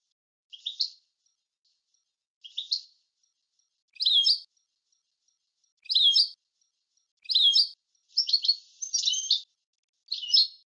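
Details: Clean European goldfinch recording meant as a teaching model: a series of brief twittering notes spaced roughly every one to two seconds, closing with quicker buzzy double notes.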